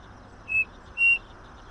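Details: Striped cuckoo (Cuclillo Crespín) singing: two clear, pure whistled notes about half a second apart, the second longer and slightly higher, over a quiet background hiss.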